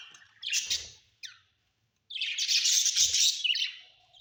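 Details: Domestic budgerigars in a house: two bursts of buzzy, grating chatter, the second long and dense, separated by a quiet pause, with faint low thumps underneath.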